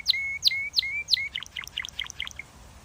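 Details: Canary singing: four clear, sharp downward-sweeping notes each ending in a short level whistle, then a quicker run of bright chirps and trilled notes, with a faint low hum behind.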